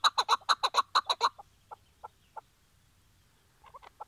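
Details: Decoy Chukar partridge tied out before a trap hunt in Şırnak, Turkey, gives a quick burst of harsh clucking chucks, then a few spaced single notes and a soft short cluster at the end.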